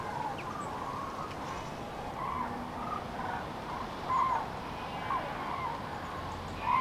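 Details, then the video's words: Migrating common cranes passing in early March 2016 over central France during the afternoon, flocks broken up by stormy weather; far-off trumpeting calls swell near four, five and seven seconds through constant wind noise. "GRUE Cendrée/Migration Prénuptiale/2016"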